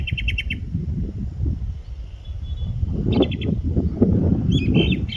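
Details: A pair of Indian blackbirds braving strong winds at Bopdeo Ghat, Pune, Maharashtra, India, in August, giving quick bursts of four or five sharp, high chattering notes, repeated three times, over heavy rumbling wind gusts.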